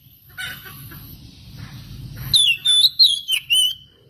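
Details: Lure song of an oriental magpie-robin, meant to provoke rival birds to sing; after low background rumble, a burst of loud, clear whistles with slurred rising and falling notes in quick succession.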